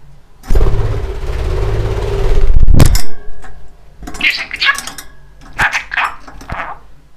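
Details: A talkative male pet budgerigar chatters in short, scratchy, speech-like bursts over the last few seconds, after a stretch of low rumbling noise and a sharp thump.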